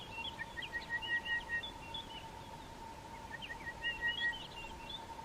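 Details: An orange-breasted bushshrike (Chlorophoneus sulfureopectus), an uncommon thicket bird, calls during an early-morning game drive: two bursts of quick, clear whistled notes with chirpy flourishes over a steady mechanical hum.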